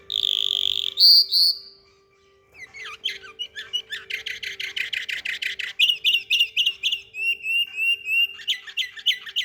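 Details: A canary in Samarkand sings a long, high sustained whistle, then rapid rolling trills and quick repeated chirps at about three or four notes a second, over a faint steady hum.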